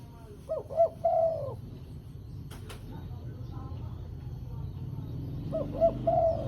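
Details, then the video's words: Spotted dove calling, used as a lure for trapping wild doves: a soft, throaty cooing phrase of a few notes, repeated after a pause of about four seconds, over a low rumbling background. "Suara Burung Terkukur Gacor Paling Ampuh Untuk Pikat dan Pancingan"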